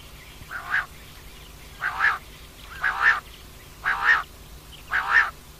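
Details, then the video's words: Female common quail calling, a rough, buzzy note repeated about once a second, five calls in a steady rhythm over a quiet background with a faint low hum. "Rat ki liye Batair Ki Awaz , Batair Ki Awaz Rat Ki Awaz, common Quail Calling, Female Batair Ki Awaz"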